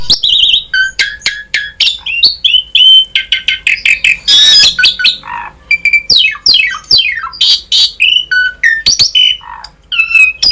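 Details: Asian pied starling singing a lively, varied song used to prompt other starlings into song: rapid chirps, sharp downward whistled sweeps, squawky notes and one buzzy burst, packed densely with short pauses.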